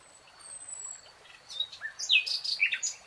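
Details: Nightingale singing in a lush green forest: after a quiet start, a burst of varied sharp, high chirps and short whistled notes tumbles out in quick succession, with a faint thin high whistle behind.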